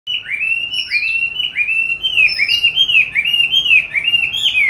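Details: Caged oriental magpie-robin, raised since 29 July 2020 and recorded 22 March 2021, hung in an ideal spot for song training; loud, continuous whistled phrases sliding up and down, with bright rising notes and quick warbled runs.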